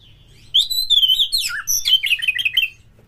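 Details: Oriental magpie-robin song used as a lure: a loud, high, rich warbled phrase of sweeping whistles and rapid chattering notes, falling and twisting, over a faint low hum.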